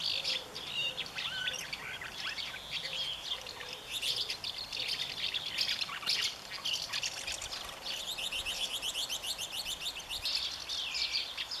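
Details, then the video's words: Common house martin defending its nest against its own partner, 20 May 2015: a long, unbroken stream of busy, high chirping twitter with quick rattling runs and rising notes, and a faint low hum beneath. "Mehlschwalbe verteidigt Nest - Who is Boss? swallow twitters"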